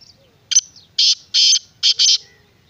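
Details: Black francolin (kala teetar) giving one harsh call phrase: a short double note followed by four loud, rasping, buzzy bursts delivered rapidly, with faint low background rumble.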